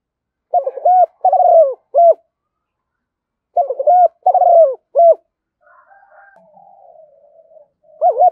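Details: Decoy spotted dove cooing to attract wild birds: a soft, hollow three-note phrase, short note, rolling longer coo, then a clipped last note, repeated twice, followed by a faint low drawn-out murmur and the start of another phrase.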